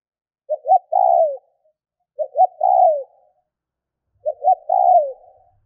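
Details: Spotted dove call for urging other doves to answer: three phrases about two seconds apart, each two short clipped notes followed by a fuller falling coo with a soft trailing end, in a quiet setting.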